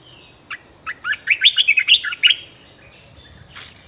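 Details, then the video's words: Cage-kept red-whiskered bulbul singing a new phrase: roughly ten quick, bright warbled notes tumbling in a tight rhythm over two seconds, ending in a short whistle, with a constant high background tone. "เสียงนกกรงตาแดงเจ้าขุนพลEp2.เสียงใหม่ต่อเข้าจริง!!!Kicau merbah belukar gacor"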